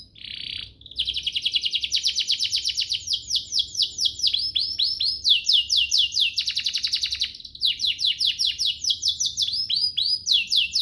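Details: Domestic canary singing a luxurious varied phrase used as master song for young birds and to spur singing: a brief buzz, then long runs of rapid repeated downward-sweeping whistles, about two per second, switching tempo several times.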